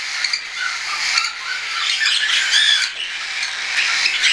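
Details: Hand-tame juvenile cockatiels, a mix of weaned and still hand-fed birds, in flight on 10 September 2012, giving harsh layered squawks and chirps in a dense, continuous flock chorus.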